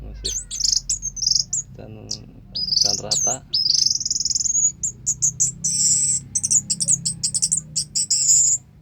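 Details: Orange-headed thrush (anis merah) in long, intense song: high whistled phrases, fast strings of sharp repeated notes and a few lower rattling bursts, all delivered almost without pause against a steady low background hum.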